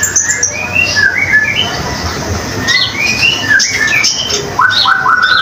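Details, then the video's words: Common iora in energetic song used to tutor other cage songbirds: clear whistled notes, rising and falling, given in short spaced groups, then a final run of lower rising whistles, with a steady low hum underneath. "Konin Gacor"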